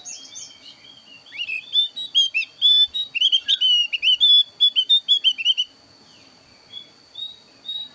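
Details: Javan grey-throated white-eye of the thin-eyebrow type, a very active singer used as a trapping lure and song tutor: a long run of rapid, bright whistled upslurs and twitters, then a pause and a few quieter notes, over a high steady hum.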